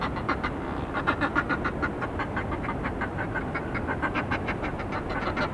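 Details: Northern fulmars, male and female, on the cliffs at Hunstanton, recorded from about 25 m away: a rapid, guttural cackle of hoarse, duck-like notes, about three or four a second, over a steady rumble of wind and surf.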